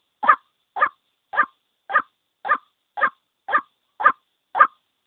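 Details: A lone white-breasted waterhen gives a lure call for bird trapping. Rough, clipped croaks come roughly twice per second, slightly uneven in spacing, with nothing else audible.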